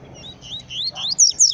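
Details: Brief song from a black male yellow-bellied seedeater in the bush: a few bright, upward-sliding whistles rising higher and louder in quick order.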